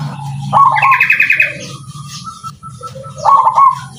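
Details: Zebra dove singing at a contest judging: a rolling cooing phrase with a higher buzzy overlay, a pause, then a second trilled cooing burst. Other faint chirps and a steady low hum sit behind it.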